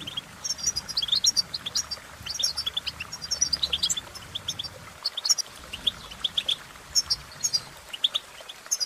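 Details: European goldfinch song, a continuous, lively twitter of high, quick chirps, liquid trills and short buzzy notes running almost without a break, over soft low background noise.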